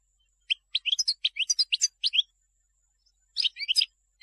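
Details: European goldfinch song, meant for teaching young birds: a brisk string of clipped, bright chirps about three a second, a pause, then a short twittering cluster.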